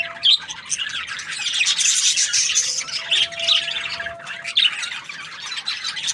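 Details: Happy budgie chirping as a busy, rasping warble that swells loudest in the middle, broken by short sharp squeaks near the start and end.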